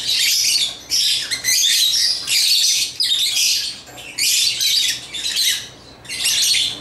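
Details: Bursts of shrill chirping from African lovebirds at their toys, each lasting under a second, come in quick succession with short gaps between them.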